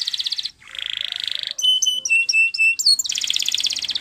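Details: Spanish Timbrado canary singing for training: pulsing buzzy trills, a run of clear piping notes at varied pitches, then another rolling trill over light background noise.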